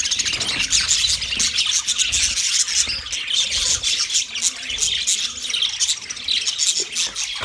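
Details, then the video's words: Thirty pairs of budgies chirp in a colony, producing a constant high, chattering din of squeaks, short whistles and scratchy warbles that rises and falls in intensity. "30 pairs Budgies colony sounds Big chirping sounds"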